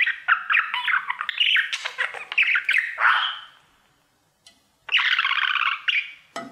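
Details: A male budgerigar, singing to his mirror, pours out chattering squawks and chirps for about three seconds. After a short silence comes a scratchy buzzy phrase and a final sharp click.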